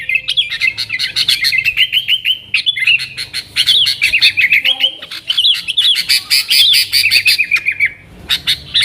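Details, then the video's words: A yellow-vented bulbul (trucukan) in full 'nggaruda' song, used as a lure to call wild sooty-headed bulbuls: rapid, bubbly, chattering warbles run almost without a break, with a short pause near 2.5 seconds and a gap near 8 seconds. "TRUCUKAN GACOR Nggaruda Super Ampuh Untuk Suara Panggilan Burung Kutilang Liar"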